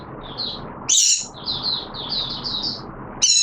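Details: Caged oriental white-eye in wet weather, recorded 6 September 2022, giving a high, thin, warbling run of quick twittering phrases, interrupted twice by loud, harsh broadband bursts.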